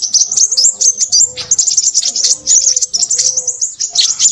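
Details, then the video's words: Excited Crimson sunbird twittering: dense, fast, very high chirps pouring out almost continuously, with brief gaps and a soft lower tone repeating beneath. "burung sepahraja ribut"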